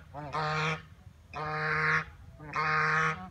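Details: Ducks on a pond at JP Palace, Agra, early morning, 6 November 2018: three loud, harsh, drawn-out honking quacks, each about half a second long, roughly one per second, over a quiet low hum.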